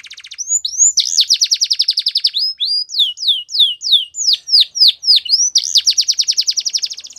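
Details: Belgian canary singing a training song meant for young canaries: long rapid trills of repeated downward-swept notes, about three and a half per second, broken by brief slurred whistles, all high and clear.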